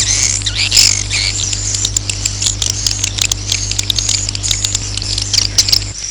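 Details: Swiftlet roosting call meant to attract the birds to roost: a crowded chorus of high chirps, clicks and buzzy twitters, fairly even in loudness, with a continuous low hum beneath.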